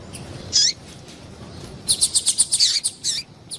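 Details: Female double-collared seedeater calling, played to caged males to excite them and stir breeding fire; a lone high chirp early, then a quick run of about ten sharp, high chips near the end over a faint low hum.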